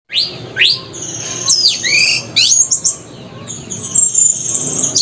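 An Orange-headed thrush sings a rich, fast run of varied phrases: high sweeping whistles, sharp rising and falling slurs and thin twittering notes, delivered almost without pause.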